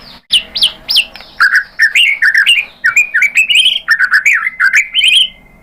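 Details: Loud White-rumped shama song used to provoke captive birds to sing: a few sharp looping high notes, then a continuous run of rich, warbled whistles rising and falling quickly, ending on a thin, sustained tone.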